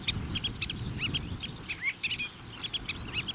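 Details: A Crested Lark in the Manych steppe, Russia, on the morning of 23 April 2024, sings close by despite gusty wind: sweet, clear whistled phrases with short slurred notes in quick succession over a low rumble of gusting wind.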